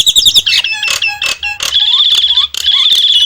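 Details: Nias hill myna singing: a loud, piercing whistled note held steady, broken by harsh squawks and short upward-slurred whistles, with a low hum underneath.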